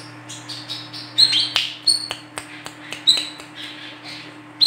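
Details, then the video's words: Female olive-backed sunbird, used to lure birds: a series of short high chirps and clicks spaced irregularly, thin and sharp, with steady low hum. "WICEH BETINA GACOR COCOK UNTUK PANCINGAN KOLIBRI KELAPA"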